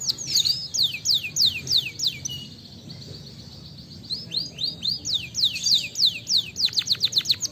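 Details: Canary song meant to set other birds singing: loud series of sharply falling slurred notes, a short lull, then quicker repeated sweeps ending in a rapid, clipped high trill.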